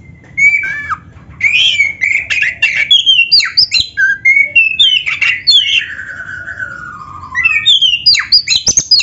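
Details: Energetic black-breasted magpie-robin song rich in imitated canary phrases, used to stimulate other magpie-robins: a continuous stream of fast chirps, sharp high notes and slurred whistles, including a long descending glide near the end.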